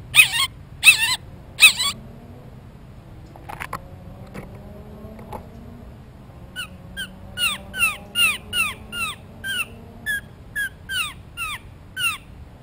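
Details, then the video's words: Blue jay close to the microphone while seeking a peanut. Three loud harsh calls open, followed after a quiet gap by a soft submissive begging series of about fifteen short, downslurred squeaky notes, steady and quick. "Amazing Blue Jay Calls - Up Close and Loud"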